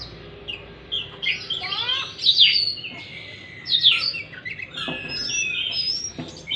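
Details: Oriental magpie-robin singing to coax a stressed, silent bird back into song: varied loud phrases of sweeping whistles, scratchy chatter and sliding notes in irregular bursts, with a faint low hum behind.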